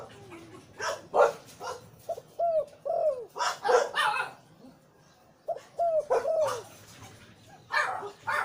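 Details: Zebra dove, Liu Tan breeding male with a deep voice: pairs of curved, falling coo notes come in two groups, mixed with loud broadband clacks and tapping.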